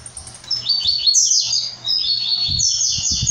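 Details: Brown-plumaged blue-black grassquit delivering an almost continuous string of high, buzzy, chattering notes for about three seconds, with low thumps and a background hum.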